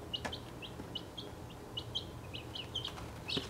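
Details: Six 1.5-week-old chicks of mixed breeds (Welsummer, Crested Cream Legbar, Partridge Plymouth Rock, Australorp, Buckeye, Golden Laced Wyandotte) kept in a travel box, giving a steady run of short, high, slightly falling peeps, several per second, with faint background hum.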